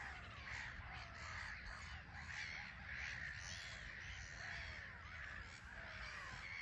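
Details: Black-headed gull colony on a small island at RSPB Frampton Marsh, grey sky, birds taking off and landing; raucous rasping cries from many gulls, pulsing roughly every second in overlapping waves.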